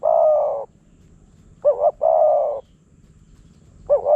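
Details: Wild spotted dove called in by a decoy in Phrae province, Thailand: a long hollow coo, then a quick doubled note followed by another drawn-out coo, over quiet background.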